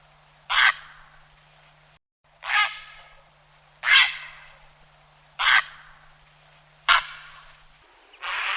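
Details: Grey heron call used for hunting to draw in birds: five loud, harsh, rasping croaks given singly, roughly one every one and a half seconds with quiet gaps between, and a sixth starting at the end.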